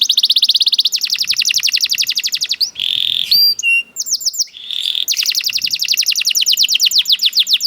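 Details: Canary giving long rolling trills of rapid high notes, broken midway by buzzy and whistled phrases, then resuming the fast trill to the end.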